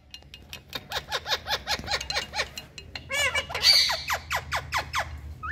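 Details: Parrots in India calling to one another, quick repeated falling squawks about two per second, then a burst of rolling chatter and more descending shrieks.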